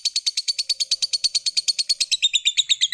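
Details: Lovebird ngekek, a drawn-out trill valued by keepers and used to spur other lovebirds to sing: quick evenly spaced grating chirps, roughly seven per second, turning slightly lower and rougher near the end.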